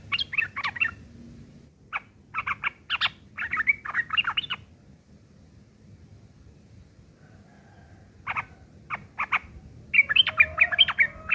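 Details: Sooty-headed bulbul giving rough ngeriwik kasar chatter, used to tutor long-tailed shrikes: several bursts of harsh, clipped notes, a quiet pause of about three seconds, then renewed rapid chattering.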